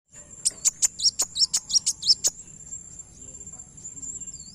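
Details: Kowul bird call used as a lure for other birds: a quick series of about ten sharp, very high chirps in the first two seconds, each dipping into a short twist, over a thin steady high ringing tone.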